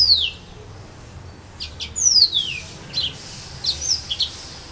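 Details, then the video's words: Serin pays (yellow-fronted canary) at Saint-Philippe, Réunion, among casuarina trees: a few sweeping, high downslurred whistles separated by pauses, then brief softer twitters near the end "serin pays 974 st philippe"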